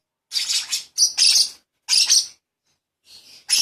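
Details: Hand-fed lovebird chick begging: dense runs of shrill, raspy chirps in four close bursts, a quieter buzzy note near the end, then a fresh burst cut off as the clip ends.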